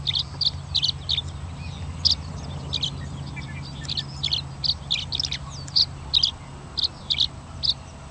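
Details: A male Tree Swallow, perched on a crossbar, sings his typical repetitive up-and-down song of bright, liquid chirps in quick irregular bursts, about two each second, over a steady high whine and a low rumble.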